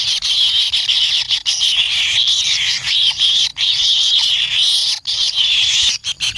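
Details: Kingfisher nestlings wait for a parent to bring food, giving a continuous high, rasping begging buzz that swells and dips slightly, broken only by brief clicks or knocks.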